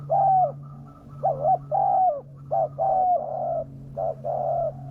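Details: Spotted dove call played as a lure so wild doves come down, called fierce: repeated low coos in short and long notes, some dipping at the end, with a steady low hum beneath.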